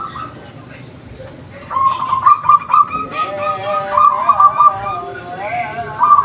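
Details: Wild zebra doves calling back and forth, rapid stuttering trilled coos in overlapping phrases after a quiet opening second, with scattered clicks and background noise.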